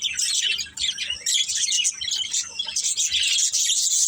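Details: Several budgies chirping at once, a bright, busy chatter of high twittering notes and short squeaky calls, thickest toward the end.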